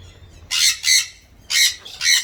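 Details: In an Australian backyard, wild galahs come to feed on seeds alongside rosellas; four harsh, buzzy screeches arrive in two pairs about a second apart, loud and close, with little else heard.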